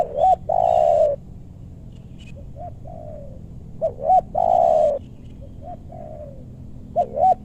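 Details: Cooing spotted dove at a luring site in meranti forest, West Bogor, Indonesia; loud bouncing double notes alternate with long sustained falling coos, while fainter doves answer in between over a low hum.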